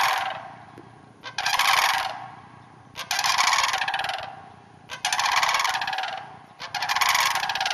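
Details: Four rolling, purring rattles from sandhill cranes come about every two seconds across a hayfield roughly half an hour north of the Twin Cities, with quiet gaps between them.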